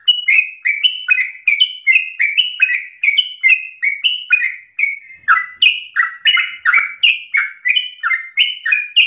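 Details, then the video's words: Yellow-vented bulbul singing vigorously and persistently in fast, rapid-fire style, used as a lure for tutoring other birds: rapid chattering series of short, slurred notes, about three per second, some rising and some falling, with no other sounds. "Trucukan gacor narung ropel ngotot"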